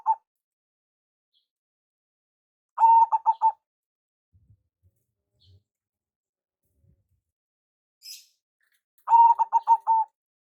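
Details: Local zebra dove used as a lure call. Over a mostly quiet stretch, two phrases of rapid clipped coos end in longer notes. A faint, brief hiss and a few soft thumps are also heard.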